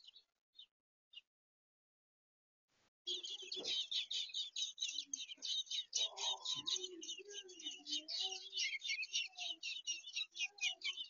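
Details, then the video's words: Baby birds fighting and squeaking for food: a dense, continuous chorus of high, thin chirps, about four per second, running without pause after a few isolated peeps and a short silence, with some lower rustling underneath. "Baby birds are fighting and squeaking for the food"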